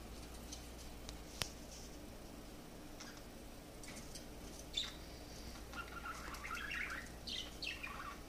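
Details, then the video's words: A pet parakeet, excited by a mirror, gives a few scattered chirps, then a soft, chattering warble of mixed high notes, over a steady low hum and one sharp click. "Parakeet Singing at Mirror"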